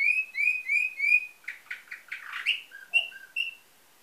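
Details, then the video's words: Canary with nightingale-type song, from a breeder in Varna, Bulgaria, 2013: four clear whistled notes repeated, then a burst of rapid buzzy trills and short piping notes. "Bülbül ötümlü kanarya , canary - Nightingale"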